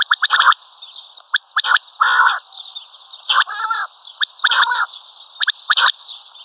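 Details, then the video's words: Common quail calling: raspy, buzzy call notes in short bursts every second or so, mixed with sharp clicking ticks. "Common Quail Calling"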